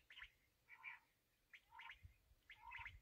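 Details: Black francolin (kala teetar) uttering three rough, chattering phrases, each a harsh high burst over a lower nasal tone, spaced about one second apart against a quiet background.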